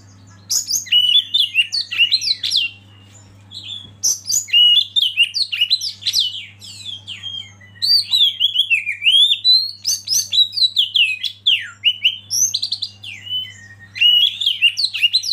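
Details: Oriental magpie-robin master song aimed at getting other birds to sing: long repeated bursts of rapid, varied whistles and sharp high chips, each burst a few seconds long with short silences between, over a faint low hum.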